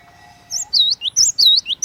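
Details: Cinereous tit (glatik watu) singing in a lively, persistent manner: after a faint low hum, a run of sharp, high whistled notes, each a short upslur followed by a dipping, bowl-shaped whistle, repeated in quick succession.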